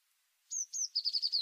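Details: Tit song phrase: two clear, high, slightly falling notes followed by a rapid trill of five lower, evenly spaced notes, in clean quiet surroundings.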